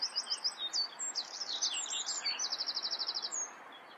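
A Common Whitethroat gives a quick, scratchy, jumbled warble of high notes, ending in a fast dry rattle, over a steady soft background hiss.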